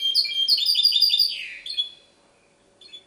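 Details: Goldfinch hybrid song recorded in Ksar el Kebir: a quick, loud burst of tinkling, chattering notes ending in a downward slurred phrase, then near silence before a brief final twitter.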